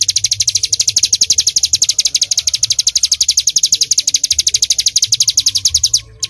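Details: Ciblek gunung (bar-winged prinia) in lively full-shooting song, recorded to train songbirds: a sustained series of thin, bright notes at a quick steady tempo, stopping abruptly just before the end.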